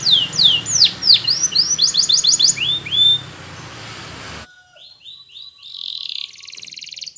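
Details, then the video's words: A yellow Spanish Timbrado canary sings a series of sharp falling whistled sweeps over a steady background hiss and rumble, then the noise cuts out and softer buzzy trill phrases follow faintly. "Canary's Most Powerful Song For Training !! Yellow Canary singing"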